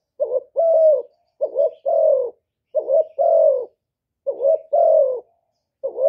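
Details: Decoy recording of a spotted dove for luring wild doves: paired coos, a brief rising note then a longer falling one, given in steady phrases with short silent gaps between.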